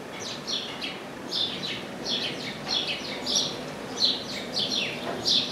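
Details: Singing chestnut-capped blackbird perched in an orange tree, somewhat softer: paired down-slurred whistles repeated about every half second against a faint background hiss.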